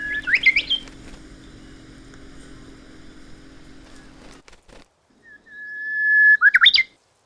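A Japanese bush warbler's song in two phrases: a long, steady, mid-pitched whistle breaking into a quick, rising, looping flourish, over a faint low hum.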